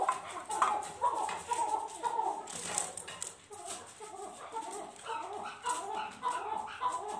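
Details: Chukar partridges during a fight: rapid, clucking chuck notes repeated in irregular bursts, broken by sharp rustling and scuffling noises.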